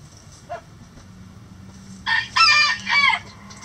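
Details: Rooster crowing in a chicken coop among clucking, scratching hens; after a soft early cluck, a loud three-part crow bursts out at about two seconds, bright and harmonic, lasting just over a second.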